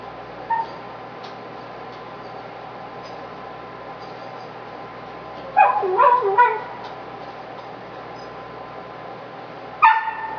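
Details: Male pet parrot grumbling loudly in frustration on a hot, humid evening of 25 September 2011 while struggling to chew a tough bully stick; a burst of harsh, harmonic squawky notes midway and another at the end over steady room hiss.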